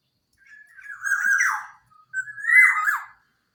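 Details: Black-naped oriole of the local Java type, its clear song offered as a lure to get silent birds singing; two rich fluted phrases, each swelling and ending in a rasping, downward-sliding flourish.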